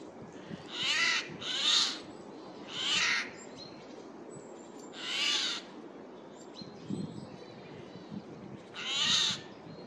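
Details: Loud harsh screeches of a Eurasian jay in woodland in mid-April 2024, the bird flying from one tree to another; five short grating bursts, two close together at the start, then widely spaced, with quiet forest background between.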